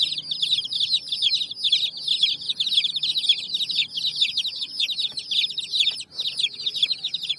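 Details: A crowd of baby chicks beside a hen on raw bricks keeps up a steady, shrill chorus of quick overlapping chirps, each note briefly sliding down, hardly pausing throughout.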